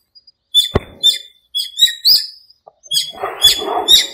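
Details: Breeding-season birds calling in a small park at dawn during the rainy season: scattered sharp chirps and rising whistled notes, irregularly spaced, ending in a busier, overlapping cluster of chirps with some rustling.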